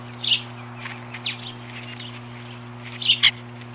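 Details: Ospreys defending the nest from an intruder on 21 April 2015 give scattered sharp, high chirps, some faint and one loud paired note near the end, over a constant low hum.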